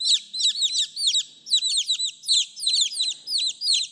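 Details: Shrill cheeping of chicks seeking their mother, clustered downward-sliding notes in quick bunches from a few birds, over a faint low hum.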